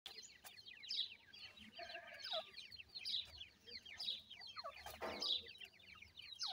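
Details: Grey francolin chicks calling their mother while she feeds them; dense high, thin chirps and short downslurred peeps overlap continuously, rising and falling in bursts roughly every second, with a louder rasping note near the fifth second.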